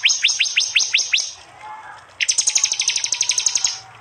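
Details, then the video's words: Prinia in a combined prinia and jali mix made with an android phone in East Java, Indonesia: seven spaced, upward-flicking chips, a pause, then a long, hurried, high trill. "Tembakan prenjak jali keras"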